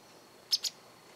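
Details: Japanese wagtail in a garden gives one brief double call, two harsh high notes close together, with quiet all around.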